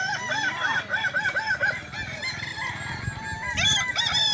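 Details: Crowing contest for Balenggek roosters at Danau Bawah, Solok Regency, 6 October 2024: a rapid run of short, repeated arched crow notes, then a fresh bright crow near the end, over other crowing birds and steady crowd noise.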